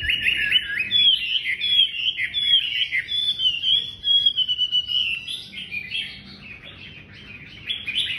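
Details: Chinese hwamei, a loud-voiced female, pouring out strong, rapid, varied song: ringing whistles and quick slurred notes in dense phrases, fading slightly toward the end, with steady low background noise.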